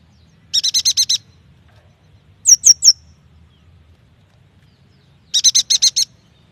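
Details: Lure recording of yuhina song meant to get young or silent birds singing: a fast six-note high chatter, three sharp down-slurred notes, then another rapid six-note burst; the background is otherwise quiet.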